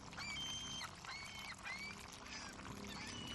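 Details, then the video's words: Several gulls in a harbour give short, nasal, mewing calls that overlap one another, over a steady wash of harbour noise. "Harbor With Seagulls"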